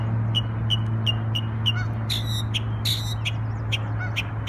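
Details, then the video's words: Bird singing in New York on Memorial Day: short bright chirps repeated about every third of a second, then louder buzzy rasping bursts, over a strong steady low hum. "Bird Sings Beautiful Songs"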